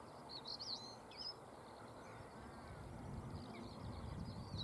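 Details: Stonechat singing on Cavenham Heath, Suffolk, UK, at 6:22 am on 22 March 2015: two brief bursts of high, scratchy, twittering phrases, at the start and near the end, over a constant low rumble of background noise.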